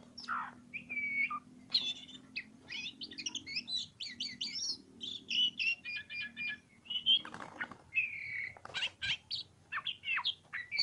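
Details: Oriental magpie-robin (kacer) singing energetically: a dense, varied run of whistled slurs, buzzy trills and sharp chirps in quick bursts, with a steady low hum underneath.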